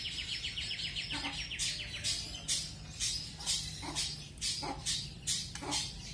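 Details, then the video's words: Long-tailed shrike, pastol-style song used as training material with fast rolls and shot-like rolls: a rapid buzzy trill of high notes, then sharp, harsh strokes repeated a bit more than twice a second, with low background hum. "CENDET PASTOL MATERI ROLL SPEED DAN ROLL TEMBAK"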